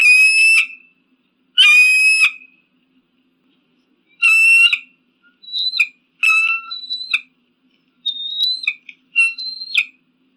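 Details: An eagle calling, presented as a way to scare crows and pigeons: loud ringing screams repeated every couple of seconds, each with stacked harmonics, followed by shorter clipped whistles rising and falling, against silence.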